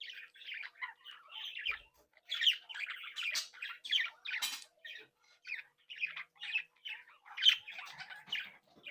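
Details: Australian budgerigars from a captive breeding group, playing and interacting, giving lively warbled chatter in quick bursts of buzzy and chirping notes with brief pauses.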